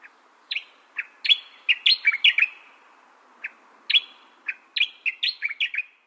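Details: Grasshopper warbler of the genus Locustella: short, sharp chirped notes in bursts, some clustered in quick runs of three or four, separated by brief pauses in a quiet background.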